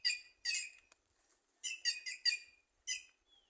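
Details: In trees in Simões, Piauí, a white-naped jay utters harsh, bright squawks in two groups of quick notes with a gap between them.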